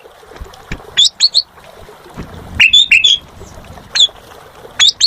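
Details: Asian pied starling (jalak suren) giving short bursts of gacor song: clusters of two or three high, sliding whistles separated by gaps of about a second, with soft background noise between them.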